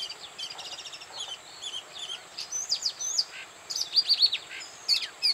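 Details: An Oriental magpie-robin at Bada, North 24 Parganas, sings a lively run of clear whistles, quick rising and falling sweeps and short chirps, over a steady high insect-like hum.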